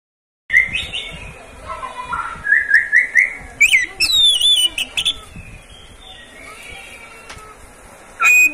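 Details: Caged Oriental magpie-robin, the owner's own bird, used as a tutor song to prompt other magpie-robins to sing; a run of clear rising whistles and quick chirps, then sharp high notes, ending after a quieter stretch with a loud burst.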